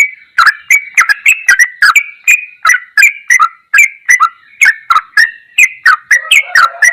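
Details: Sooty-headed bulbul, ropelan goklikan style tutor song: steady stream of sharp clicks joined to warbling, gurgled notes, with a softer lower buzzy tone near the close.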